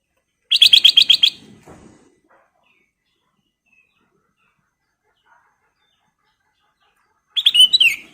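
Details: Sooty-headed bulbul, golden kutilang emas form, in full vigorous song used as a lure: a rapid series of about nine sharp chattering notes, silence for several seconds, then another quick burst ending in a slurred whistle.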